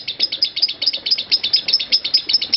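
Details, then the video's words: Lovebird performing a long ngekek used as a master recording for training other lovebirds: a fast, continuous stream of high, harsh chattering notes, about six per second, running without a break. "Suara Lovebird Konslet Parah"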